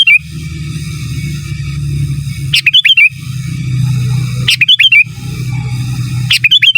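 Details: Energetic gacor, giras and menggaruda song of a sooty-headed bulbul, meant for masteran training: quick clipped notes then a curling whistled phrase, repeated about every two seconds against a constant low droning background.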